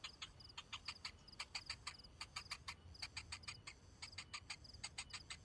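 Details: Young cinnamon bittern, hungry and waiting for food, produces clipped ticking calls in small groups of two to four, each click ringing with a thin high tone.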